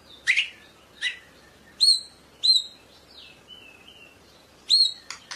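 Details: White-rumped shama of the Medan type utters spaced, sharp bright notes, some with a flicked upward tone, plus a soft falling and level whistle between them, against quiet background.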